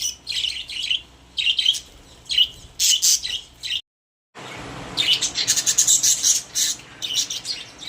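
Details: Caged pet budgies chirp in short bright bursts, fall briefly silent, then resume with a denser run of rapid squeaky twitters and warbles.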